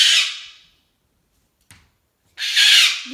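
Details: Hormonal pet cockatoo in a temper tantrum indoors, two loud harsh rasping screams separated by a short silence and a faint click.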